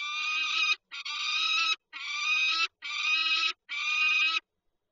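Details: Peregrine falcon pair at their nest with an egg in Lublin, Poland, on 19 March 2022: five long, harsh, wailing calls, each under a second, separated by brief gaps, rich in stacked overtones, with no other sounds.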